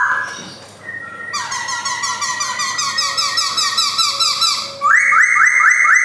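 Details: Caged male Black-throated laughingthrush with white cheeks, Jogjakarta, 2021, pouring out a dense, rapid jumble of high whistles and chattering notes, then switching to a steady train of loud rising whistled slurs.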